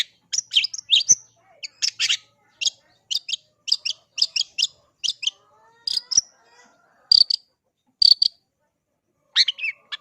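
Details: Long-tailed shrike (cendet) giving clipped, high chirping phrases in clusters of two or three, spaced evenly, with a few thin whistles and a final scratchy flourish, over a quiet background.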